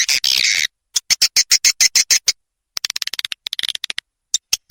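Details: Swiftlet call played as a lure to attract birds, in the Ratu Birahi style: a brief harsh buzzy burst, then rapid trains of short, crisp, high chirps with gaps of silence between runs.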